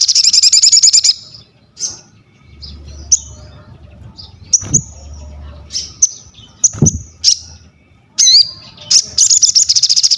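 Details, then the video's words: A crested jay opens and closes with fast, high rattling bursts, separated by sharp whistled chips, a quick upslurred note and scattered clicks over a low rumbling background. "SOGON GACOR UNTUK ASAH MENTAL, MASTERAN DAN PANCINGAN BUNYI"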